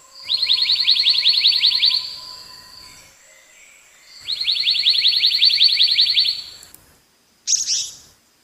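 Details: Black-naped monarch singing a rapid, even trill of ringing notes lasting about two seconds, repeated after a short pause, then a single brief high burst; quiet background.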